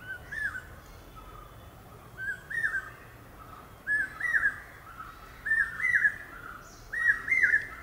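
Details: A brain fever bird (common hawk-cuckoo) repeats a shrill two-part "pi-peeah" whistle six times, roughly every one and a half seconds. The phrases grow louder and higher against a soft, steady outdoor hum.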